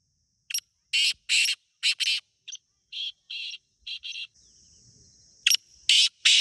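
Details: Wild black francolin in Pakistan gives harsh grating calls in quick uneven bursts of about a dozen clipped rasps, with a thin steady high whine briefly in the background.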